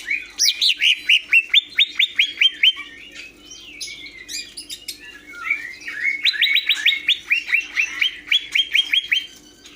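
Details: Rapid bursts of sharp, clear repeated notes from a greater green leafbird, two long fast series separated by softer chattering phrases, over a low mechanical hum.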